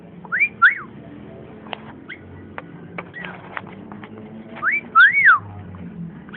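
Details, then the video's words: Long-tailed shrike singing: loud paired whistled notes that rise then fall, given at the start and again near the end, separated by scattered dry clicks and soft ticking notes over a quiet low hum. "burung cendet ngoceh"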